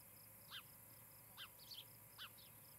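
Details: At a nest in Charlo, Montana, on the evening of 17 July 2018, an osprey gives short, sharp whistled chirps, three roughly a second apart, over a soft hiss, with faint high peeping in between.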